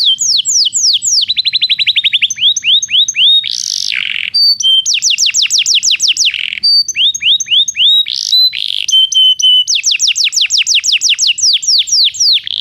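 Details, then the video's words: Belgian canary singing for a training recording aimed at non-singing canaries: varied tours of swooping whistles, fast trills and short harsh buzzy bursts, alternating throughout a long continuous phrase. "Canto de canário belga"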